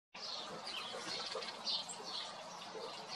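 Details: A fledgling European robin, one of two in a UK garden, begs a parent for food with thin, high chirps over a steady broad hiss, possibly wind or water.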